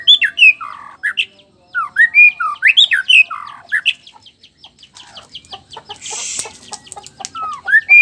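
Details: Nias black-tailed white-rumped shama male in provoking song for other males: rich loud whistled phrases with sliding notes for several seconds, then softer scattered chips and a brief hiss before one last rising whistle.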